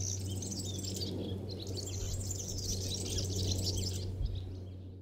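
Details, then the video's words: Sardinian Warbler singing a fast, scratchy, rattling chatter of short, harsh, strident high notes, nearly continuous, over a steady low rumble. "Curruca Cabecinegra cantando"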